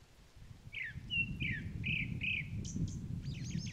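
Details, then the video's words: Grey-backed thrush at the Sobeol (Upo Wetland) otter marsh, where Chinese milk vetch is in full bloom, gives a few clear slurred whistles, some falling, then short high notes over steady low background noise. "되지빠귀 우는 소리"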